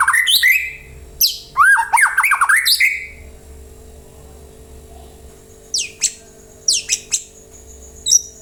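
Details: White-rumped shama lure song, played so other birds join in and sing: an energetic burst of tumbling whistles and squawky notes, followed after a pause by spaced sharp, high downslurred chips.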